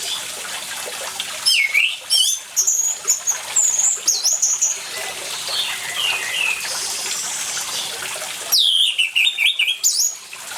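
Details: Orange-headed thrush singing energetically beside running water, a lure meant to start silent birds singing: bursts of varied high whistles, chirps and slurred notes, then a quieter watery stretch with faint notes and a loud closing flurry.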